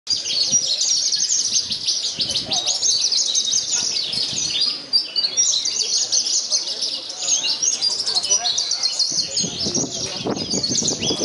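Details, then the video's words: Caged Javan bush lark singing in a contest in Purworejo, where it won first place despite strong wind; dense, rapid high twittering and chirped phrases run almost without pause, with a burst of low rumbling near the end. "BRANJANGAN PARVA "CANON" HARUMKAN KOBRA PURWOREJO"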